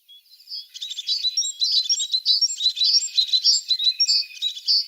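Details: A tit's dense, high twittering song starts softly, then runs steadily as a rapid jumble of chirps and short buzzy notes.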